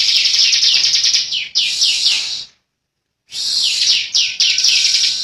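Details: Bar-winged prinia, young bird, pouring out high, tight, buzzy rattles with quick descending slurs, pausing for about a second before another long trill.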